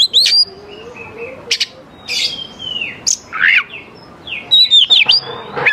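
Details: Oriental magpie-robin singing to lure young wild birds, spaced whistled phrases with long downslurs, harsh short notes and a final cluster of sharp high whistles.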